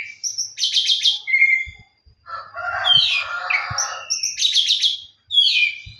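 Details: Challenging song of an Oriental magpie-robin looking for a rival: loud, varied phrases of clear whistles, rapid trills and harsher scratchy notes, delivered with barely a pause, with faint low knocks.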